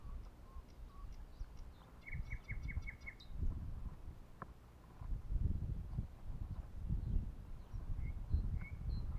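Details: Birds singing at a pond as nature wakes up: a quick run of six clipped, evenly repeated notes, thin high chirps before them, and scattered short calls later, over low rumbling background noise.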